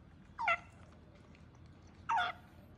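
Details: Pet African grey parrot chick, two months old, indoors giving two brief, rich, downward-bending squawks about one and a half seconds apart, with quiet room hum between.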